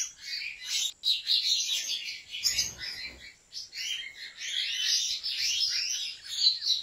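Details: Goldfinch kept by a breeder in Turkey gives a sustained, dense twittering song. Quick high chirps, trills and liquid notes run almost without pause, with one short dip near the start and a faint low thump midway.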